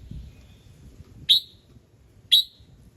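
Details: Red-whiskered bulbul, morning singing used to trigger other birds: a faint thin whistle followed by two loud, bright chip notes one second apart, over low rumbling background noise.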